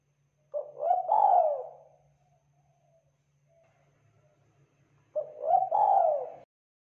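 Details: Spotted dove, a lively local tekukur from Indonesia kept to stir other doves into calling; two similar cooing phrases, each a short note then a swelling, falling coo, separated by about three seconds of near-silence with a faint hum.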